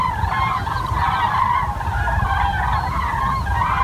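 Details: Common cranes calling near Wiesbaden-Auringen, Germany; dense chorus of resonant trumpeting notes from many birds at once, heard over deep rumbling background noise.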